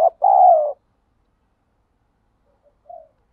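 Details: Spotted dove cooing in the wild, 'thúc gù' style: one long, smooth, slightly descending coo right after a clipped opening note, then silence and a faint distant short coo.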